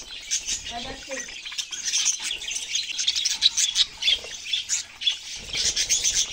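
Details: Budgerigar flock giving busy, overlapping twittering and scratchy warbles in quick bursts, rising and falling in loudness, with a brief low murmur early on.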